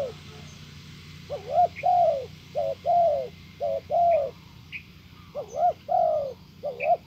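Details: Decoy spotted dove cooing to lure a wild dove: paired phrases of a quick two-part coo followed by a long slurred coo, about five sets, with faint high chirps from other birds between.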